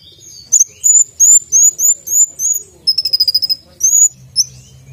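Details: Brown-throated sunbird (konin) in full song, isian tembakan with sharp voice: repeated slurred rising whistles, a brief stuttering trill in the middle, then more whistled notes; a low hum appears near the end.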